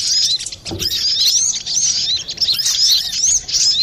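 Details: Loud, clear brown-throated sunbird song used to lure birds: a steady flow of very high, sweeping chirps and trills, interrupted once early by a brief low knock.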